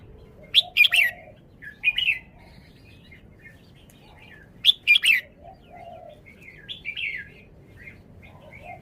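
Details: Red-whiskered bulbul song: short, punchy groups of two or three loud whistled notes about every four seconds, with quieter chirped phrases between them.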